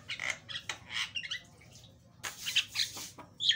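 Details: Javan myna singing actively with a loud, varied voice, used as a lure to train other birds: harsh, buzzy squawks and short bursts of chattering notes, with a brief gap mid-way before a louder raspy outburst and a final squeak.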